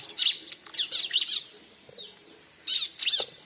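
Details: Bar-winged prinia lure sound: loud, quick bursts of high chirping notes, a pause with a faint whistle, then another sharp burst.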